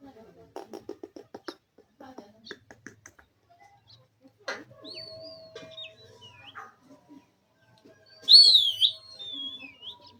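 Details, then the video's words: Indian desi parrot showing off its mimicry and funny sounds: soft clicking and tapping first, then a drawn-out whistled sweep, ending in a loud, twisting, warbling high whistle with quieter trailing notes. "indian desi parrot talking,azamzing parrot funny sound"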